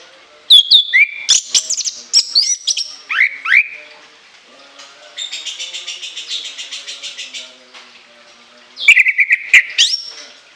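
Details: Orange-headed thrush, anis kembang, with loud shrill whistles and slurred falling notes, a middle stretch of rapid repeated buzzy notes, then another burst of piercing rising whistles.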